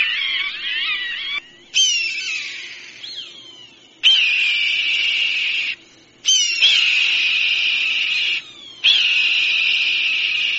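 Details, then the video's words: Hawk calls played to disperse birds: loud, harsh, high screams in long sustained bursts of about two seconds, some sliding downward, separated by short silences. "ZVUK JASTREBA. Rastjerivač ptica. HAWK. The sound of a hawk. The dispersal of birds"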